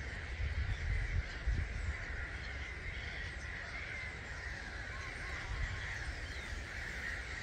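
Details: Starlings, about 250,000 of them, leaving a roost at 05:45 on 21 March 2022 at Gibraltar Point NNR; a thick, steady babble of calls, with low thumps and rumble underneath.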